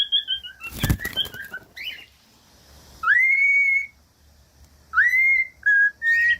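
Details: Cockatiel whistled song used to teach other cockatiels to sing: a few short descending notes and a noisy burst, then long rising whistles that level off, with a brief lower note near the end.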